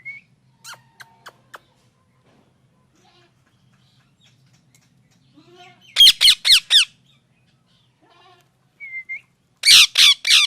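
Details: Parrot with sparse soft ticks and squeaks, then two bursts of four rapid, harsh screeching notes, the second burst preceded by a brief curled whistle; quiet between calls.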